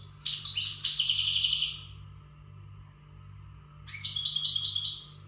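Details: European goldfinch, untutored Western bird, in full readiness song: two bursts of quick, metallic twittering trills roughly two seconds apart, each phrase energetic and high-pitched, separated by a quiet gap with only faint background hum.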